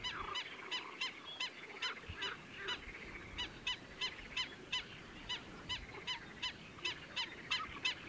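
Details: A single Black-winged Stilt calls incessantly during the breeding season at Kayseri Sultansazlığı wetland, giving sharp, nasal yapping notes, about three a second in an uneven, insistent run, over a soft outdoor hiss.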